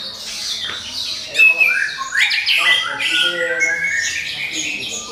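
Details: An orange-headed thrush sings its lure song to provoke other birds, in a crystal-clear voice. Harsh, squawky notes mix with bright slurred whistles in a dense, continuous stream after a quieter opening.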